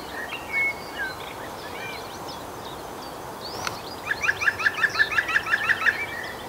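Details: A male green woodpecker gives its laughing yaffle, a quick run of about a dozen ringing notes over two seconds, after scattered chirps from other small birds, at Gosforth Park.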